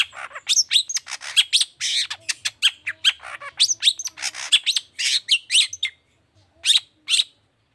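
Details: Long-tailed shrike in energetic 'toet toet' song meant to prompt other shrikes to sing: a dense, rapid stream of harsh, scratchy chattering notes for six seconds, then a pause and two final loud notes.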